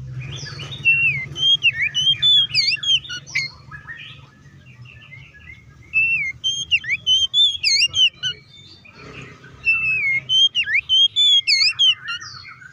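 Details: Oriental magpie-robin kept as a songbird, singing loud and lively to provoke other magpie-robins into song: phrases of clear, looping whistles with quick up-down slurs, given in bursts every few seconds, fainter chatter between them, low hum beneath.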